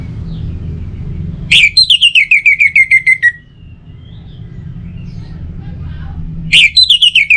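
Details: Orange-headed thrush, whose song lures other birds to sing morning and evening: a sharp rising note opens a fast series of about ten descending whistles, and the same phrase begins again five seconds later.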